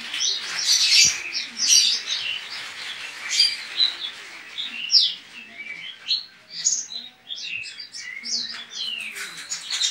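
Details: Javan white-eye (pleci) from Pontianak, West Kalimantan, Indonesia, a caged entrant in an online singing competition; rapid, continuous high twittering with sweeping chirps and trills, little pause between phrases, quiet room background.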